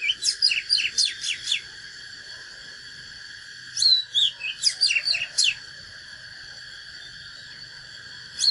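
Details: Natural Oriental magpie-robin in a duelling song to fire up rivals: two tight bursts of fast descending whistled strokes and twisting notes, separated by a pause of about two seconds, over a steady high hum.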